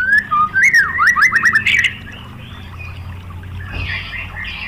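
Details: White-rumped shama song used to provoke other shamas: a short burst of whistled zigzag notes and quick chips lasting about two seconds, then quiet with faint background chatter.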